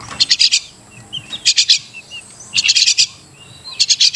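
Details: Crested myna (Martinez bird) repeating bursts of four to five rapid, grating high notes roughly every second, with faint soft whistles between bursts.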